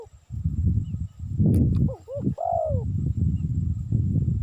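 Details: Spotted dove recording meant for luring. A single phrase of two brief coos and a longer descending coo sits in the middle, partly covered by strong low rumbling noise throughout.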